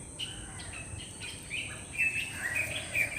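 A black drongo gives short, bright chirps and metallic notes around two a second, varied in pitch, over a steady high insect-like hiss.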